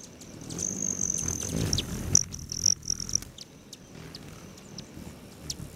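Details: Hummingbirds around hanging feeders near Great Sand Dunes National Park, Colorado, July 29, mid-morning; a bright high trill swells and fades with scattered sharp ticks, quieter toward the end, over soft low background noise.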